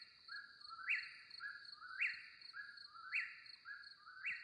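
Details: An Eastern Whip-poor-will at a Kentucky campground repeats its whistled three-part 'whip-poor-WILL', the last note rising sharply, about once a second over a steady high insect drone.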